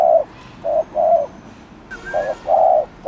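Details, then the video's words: Spotted dove cooing to provoke other doves into getting fired up: low, hollow coos in short-then-long pairs, with a brief higher whistled note midway from another source. "CHIM CU GÁY GÙ ( BO )/ CU GÁY GÙ KÍCH MỒI NÓNG MẶT"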